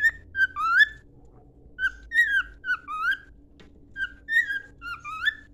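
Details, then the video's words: Training song of a cockatiel, with slurred upward whistles in three repeated groups separated by short gaps, over a steady low indoor hum. "Canto de calopsita para treinar"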